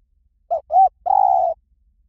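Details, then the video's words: Spotted dove phrase in the 'Liw Tan' style for luring and training doves to reply: a short coo, an arched second coo, and a long even, soft-toned final coo, with little background noise. "สำหรับเปิดล่อนกเขาใหญ่ฝึกต่อ ให้ขันโต้ตามเสียงนกเขาใหญ่หลิ่วตัน"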